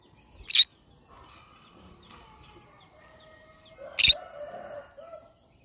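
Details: Cinnamon green-cheeked conure giving two short, harsh, screechy bursts about three and a half seconds apart, with faint low warbling sounds and a steady high hum in the background.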